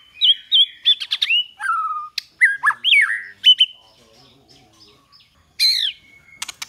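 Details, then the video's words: White-rumped shama song in the 'giọng dây' training style: bright whistles and fluty slurred notes in short bursts, a drawn-out falling note, then a quiet gap before a loud buzzy burst and a level whistle. "Luyện chòe lửa hót hay mỗi ngày ❣ kéo thuốc lào ❣ hót giọng dây"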